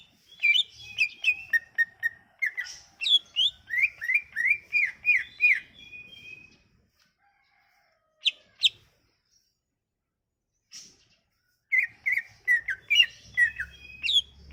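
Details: Leafbird lure song of the Sumatran leafbird for silent birds: energetic rapid whistled notes, many downslurred in quick series, then a long near-silent gap with a few sharp calls before the chattering song returns.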